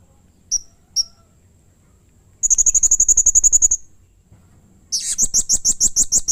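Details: Blue-crowned hanging parrot, a bird in full voice, calling harshly and emotionally to provoke others of its kind: two isolated high chips, then a fast buzzy trill of thin notes, then a louder, rougher run of shrill chips.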